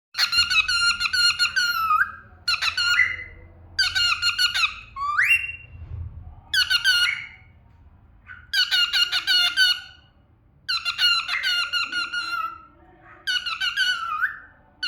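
A cockatiel sings in bursts of harsh, chattering notes, several ending in a rising whistle.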